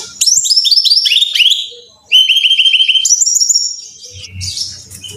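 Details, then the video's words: Brown-chested jungle flycatcher song as a training recording for caged birds: dense cascades of sharp high whistles, then a steady series of repeated clear notes on one pitch, ending in softer buzzy sounds over low background noise. "Pancingan Masteran Suara Burung (SIKATAN RIMBA DADA COKLAT)"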